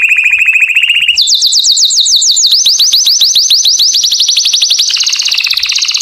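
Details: Courtship song of a canary directed at females: a fast low trill, then a jump to higher, rapid, slurred notes repeated in a long ringing series, loud and continuous.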